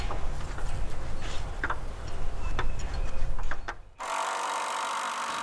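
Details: Irregular low knocking and ticking thuds, like wood being tapped, give way after a brief pause to a steady mechanical hum.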